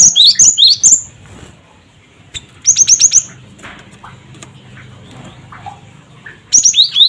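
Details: Gelatik batu (cinereous tit) calling to provoke other birds: bursts of four or five sharp, high two-part 'cret-wucit' notes, falling then rising, repeated in three groups, with faint soft chirps in between.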